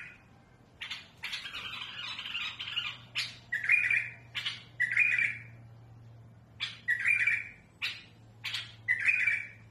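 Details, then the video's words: Bulbul of the mutawwa'a style, harsh-voiced song used for raising young birds: a dense scratchy burst opens, followed by alternating sharp clipped notes and rasping buzzy phrases with a faint whistled tone, with a low steady hum underneath. "بلبل المطوعة سلسة وصوت خشن رهيب لتخريج الافراخ"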